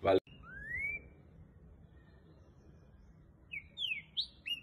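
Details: Green-winged saltator of the fast "boiadeiro" song type, caged and trained for song tournaments: a sharp click, a clear rising whistle, then after a pause a quick burst of short, loud, downward-slurred whistled notes.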